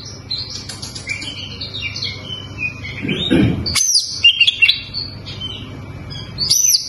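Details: Oriental magpie-robin song, sparser here: scattered high chirps and short whistled notes, with a louder dull thump near three seconds followed by sharp, rising whistles and a final high note, over background hum.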